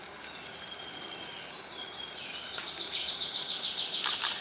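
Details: A white-whiskered puffbird at the Buenaventura reserve in Ecuador gives very high, thin drawn-out whistles that edge upward, over a steady shrill insect buzz; a club-winged manakin is also audible.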